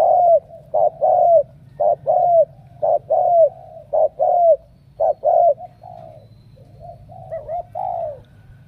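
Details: Spotted dove from Cà Mau, Vietnam, cooing in crisp two-note phrases, a short note plus a falling coo, about once a second, then softer, wavering coos toward the end.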